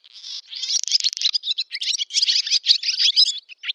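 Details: Barn swallow singing in a Russian village, Novgorod oblast, 8 August 2013: a harsh buzzy rattle opening into a rapid, scratchy twitter of packed chirps, steady and unbroken, with no other sounds.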